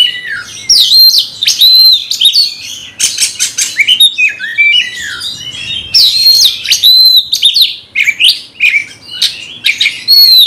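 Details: Magpie-robin goaded by a rival sounding furious, pouring out a dense, nonstop medley of sharp whistles, squeaky slurred notes and scratchy, rasping chatter in fast overlapping phrases, strong and shrill for the whole stretch.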